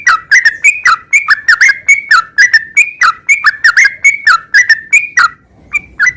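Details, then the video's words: Yellow-vented bulbul (trucukan) in full gacor song of the type called garuda sambung ngeropel, pouring out bubbly, chuckling phrases of liquid whistled notes almost without break, then ending with a few isolated notes. "Suara kicau burung trucukan gacor garuda sambung ngeropel"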